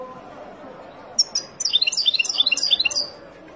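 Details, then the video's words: Wild European goldfinch song meant for tutoring chicks: two sharp high notes open, followed by a rapid, tinkling cascade of repeated twittered syllables for about one and a half seconds before falling quiet. "اروع تغريد طائر الحسون البري لتعليم فراخ"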